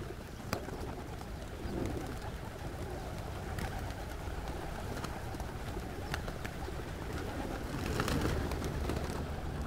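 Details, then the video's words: Cappadocia's Pigeon Valley in Turkey, where hundreds of pigeons gather among other birds. A rough, low cooing murmur continues under bursts of rustling that may be wing flaps, with occasional sharp ticks and distant chirps. "Pigeon Valley Cappadocia Bird Wings Sound"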